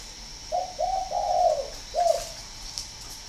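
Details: Spotted dove of northern Vietnamese stock, recorded at a bird farm in Ba Vì, Hanoi, delivering a soft mellow phrase of three quick coos merging into a long rolling note, then a separate falling coo, with a quiet background.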